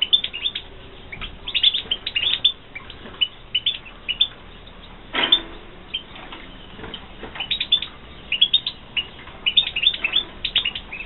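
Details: Tinkling, rapid twitter of captive European goldfinches bred in 2016, nearly continuous high chirps with a brief rustle or wing noise in the middle.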